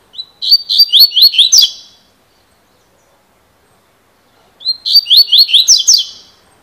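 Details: Double-collared seedeater delivering 'cilada' song twice: each phrase opens with a short whistle, then a quick series of rising, chirping slurs ending in a buzzy flourish, separated by a few seconds of quiet.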